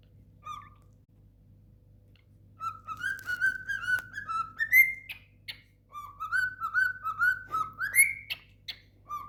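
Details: A pet cockatiel tries to whistle "If you're happy and you know it, clap your hands" in clear, stepping phrases that rise in pitch.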